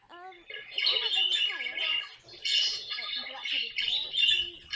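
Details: Caique kept as a pet giving a run of grating, buzzy screeches with sliding whistle-like notes between them, bursts coming roughly every second or two.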